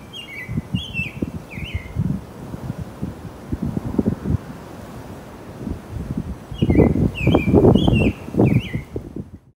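A female Northern Cardinal sings bright, down-slurred whistles in two phrases of about four notes each, over loud gusting wind.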